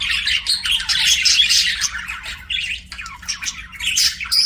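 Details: Pet budgerigars sing and chirp in a busy, overlapping stream of rapid high chirps and grating warbles, a brief lull near the middle before the chatter picks up again.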